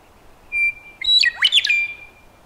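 A Western Meadowlark sings one clear, high whistled note, then a quick tumbling run of liquid, gurgling notes that slide downward and trail off over a quiet background.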